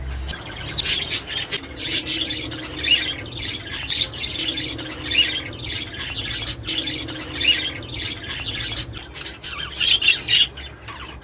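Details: Australian budgerigars, played to encourage mating, breeding and egg laying: continuous high warbling chatter with squawky notes and chirps, densely layered throughout, over a faint low hum.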